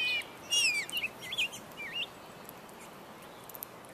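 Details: Male Rose-breasted Grosbeaks, up to eleven at once, contending with each other and other birds at feeders with sunflower seed, suet and grape jelly; quick warbled, whistled phrases sliding between high notes, then several short looping notes.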